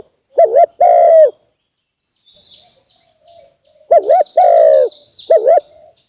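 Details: Spotted dove call for luring doves to traps: two loud phrases of double wavering notes and a long coo, separated by soft coos, with faint high chirps.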